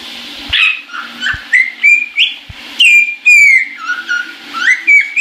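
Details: Caique kept as a pet, singing happily while in the shower, recorded 22 January 2016. A lively run of loud whistles, rising and falling slurs with bright harmonics, several bursts in quick succession, soft clicks between, and a constant low water hiss.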